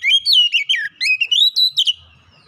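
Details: Kacer singing a lure song to rouse reluctant birds: a fast, unbroken string of loud whistled notes sliding up and down, ending abruptly with a faint low hum after.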